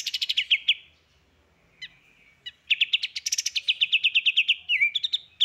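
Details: Masteran recording for training songbirds, full 'tembakan' style: stuttering high notes, a near-silent gap with two isolated chips, then a long run of sharp repeated chirps at about three per second, ending in a dipping whistle.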